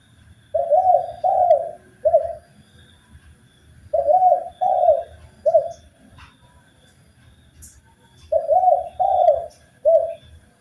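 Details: Spotted dove song from a master recording meant for training birds: low, mellow three-part cooing phrases, each phrase repeated about every four seconds, three phrases in all, over faint low background rumble.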